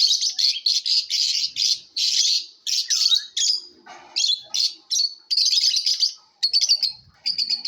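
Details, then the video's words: Chirping lovebirds in competition give a nearly unbroken stream of shrill, rapid, buzzy chirps in quick bursts, with one lower, harsher squawk-like note near the middle. "Love BIRDS ChAPRING SOUNDS COMPETITION"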